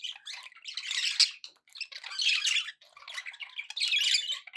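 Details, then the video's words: Happy pet budgerigars chattering: dense bursts of scratchy, warbling squawks and chirps in overlapping phrases, pausing briefly between runs, with no other sounds. "happy budgie sounds"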